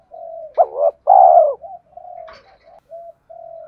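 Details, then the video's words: Spotted dove cooing in the urging "thúc" manner used to trigger a decoy bird: a soft lead-in note, then a punchy short coo and a long loud hoarse one, trailing into quieter low coos with a faint rustle. "Tiếng chim cu gáy thúc cực đỉnh dùng kích bổi mở lên là gáy"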